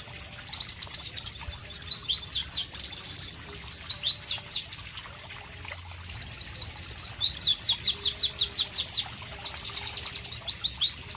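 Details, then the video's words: Long loud masteran song of a White-eye (Pleci): rapid high chirps, trills and slurred whistles in dense runs, a brief gap midway, then an energetic resumption. "Masteran Pleci Bird Sounds Loud, Sharp and Melodious"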